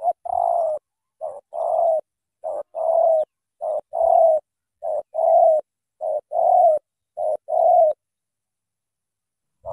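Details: Spotted dove from Cà Mau giving a long run of thổ tơ cooing: about eight phrases in steady rhythm, each a short note followed by a fuller, sustained, mellow coo, roughly one phrase per second.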